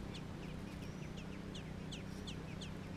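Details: American robin nestlings in Georgia giving quick, thin, high-pitched downslurred squeaks, several overlapping in uneven rhythm, with a steady low drone underneath.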